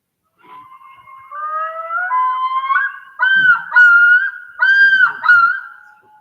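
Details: Male common loon yodels, a distress call given only by males when threatened by predators or people, usually when with chicks: long rising wails climb into loud, wavering, repeated phrases about every second, ringing and slightly echoing.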